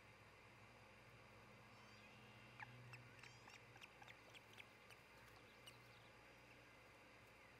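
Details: Nesting osprey pair in Charlo, Montana, heard early morning on 26 June 2018 from a nest cam: after a quiet start, a quick series of thin, piercing chirps comes several times a second, then fades against constant background rumble.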